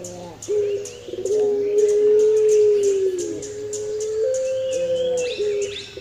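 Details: Eurasian collared dove recorded as a master-song tutor recording: one long, mellow coo of about five seconds at steady pitch lifting slightly at the end, with sharp high ticks and brief chirps behind.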